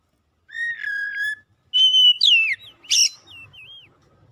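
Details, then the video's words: Oriental magpie-robin singing, played to encourage a lazy, non-singing bird: a level whistle with a slight break, then a high steady note sweeping down, a harsh burst, and soft looping twittered notes. "KACER NGEDROP MACET MALAS BUNYI PASTI LANGSUNG GACOR DENGAR OCEHAN INI"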